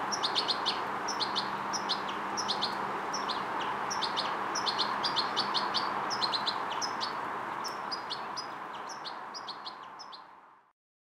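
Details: A European goldfinch fledgling, learning motor control and coordination, delivers rapid, regular high chirps about four per second, thinning toward the end before fading into silence, over background hiss.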